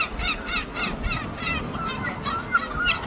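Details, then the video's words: Herring gulls duetting in London, a rapid run of loud, harsh, laughing notes repeated several times a second with rich harmonics, over low background rumble. "The Greatest Wildlife Duets Singing ( Herring gull )"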